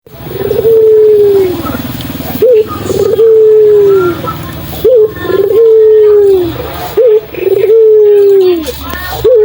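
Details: Local puter dove, a lively calling bird used as a lure to prompt silent doves to call back: long, clear tonal notes that slide slowly downward, each introduced by a short upswept note, repeated about every two seconds.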